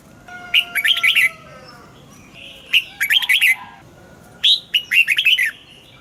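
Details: Caged red-whiskered bulbul training recording for morning song, mature wild double-note style: three loud, rapid, chattering warbled phrases spaced about two seconds apart, with soft thin whistles underneath.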